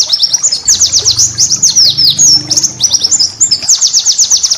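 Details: High-pitched, energetic white-eye master song for cage-bird training: dense chattering trills mixed with descending whistled slurs, almost continuous throughout.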